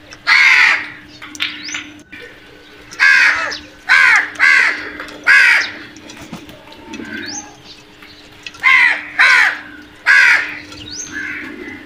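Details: Crows cawing as they attack food, short harsh caws in paired and triple bursts separated by pauses, with higher thin calls in between and a steady hum beneath.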